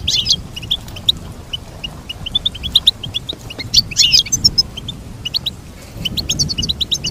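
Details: Goldfinch song of rapid high twitters and chattering trills, with a couple of louder jangling bursts among steady chirping.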